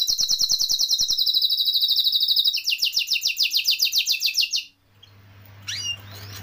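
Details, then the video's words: Canary singing a vigorous rolling song: rapid high buzzy trills repeated about three per second, shifting to a broader, louder roll after two and a half seconds, then stopping; faint chirps and a low hum follow. "Kenari Gacor Ngeroll Isian Masteran atau Pancingan Kenari Riwikan atau Kenari yang Macet Bunyi"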